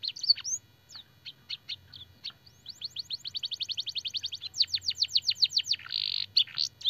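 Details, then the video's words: Canary master song with blackthroat and sanger phrases: scattered chirps give way to long, even series of rapidly repeated sharp notes, then a buzzy burst and more twitters, over a soft low hum. "burung kenari gacor isian blackthroat dan sanger - suara masteran burung kenari"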